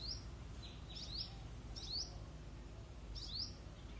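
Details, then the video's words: Hummingbird song: thin, high upward-sweeping squeaks, some doubled, repeated at irregular intervals of about a second over quiet low background noise. "A singing hummingbird"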